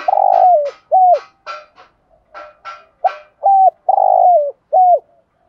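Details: Caged spotted dove used as a lure bird, cooing to provoke wild doves into answering. Rough, buzzy broken notes alternate with clear, level hooting coos, some dropping in pitch at the end, spaced about half a second apart.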